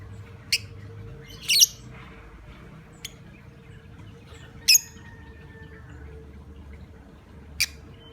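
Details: Shrill lovebird calls meant to provoke other lovebirds into calling: five short, piercing chirps at irregular intervals, one a quick doubled burst, over a steady faint background hum.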